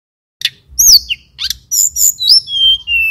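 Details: Singing male mountain tailorbird from Banyuwangi: a few sharp chirps and a rising slur, then long clear whistles gliding downward at the close, over faint low background hum.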